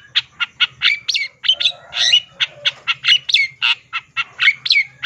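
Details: Long-tailed shrike in lively gacor singing with full isian fill-ins: a steady stream of rough chattering notes, about three per second, mixed with slurred whistles and squawks.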